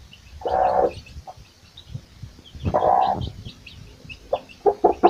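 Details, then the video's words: Mother hen foraging with her chicks gives two drawn-out, harsh, nasal calls about two seconds apart, followed by short clucks, while faint high chick peeps sound in the background. "SUARA ANAK AYAM DAN INDUKNYA SEDANG MENCARI MAKAN | The sound of a chick and its mother"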